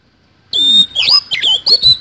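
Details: Kacer, the Oriental magpie-robin, in full 'isian kasan' song: a sharp high whistle bursts in after silence, followed by quick rasping squawks and twisting whistled phrases with short gaps between them.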